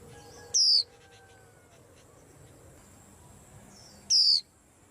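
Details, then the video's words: Two sharp, high, downward-sliding whistles from a white-eye on a cage stand that sets the rack in uproar, separated by a pause of over three seconds, with soft low background murmur. "Tiếng Chim Khuyên Làm náo loạn cả giàn"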